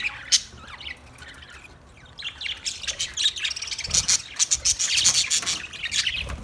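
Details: Budgerigars chirping: a quiet start for about two seconds, then dense overlapping high twittering and scratchy chirps that build and continue to the end, with several birds calling at once.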